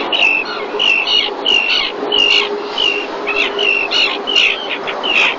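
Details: Common tern at Marismas Negras, Astillero, Cantabria, Spain, 2021 breeding season, bringing a fish to the mother, webcam recording; steady series of shrill, down-slurred 'kee-arr' calls, about ten in five seconds, over hiss.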